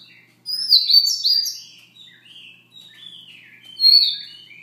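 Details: Siberian rubythroat, soft song at morning: a continuous, varied warble of quick chirps, slurred whistles and lower scratchy notes tumbling together for several seconds before one clearer downslurred whistle near the end.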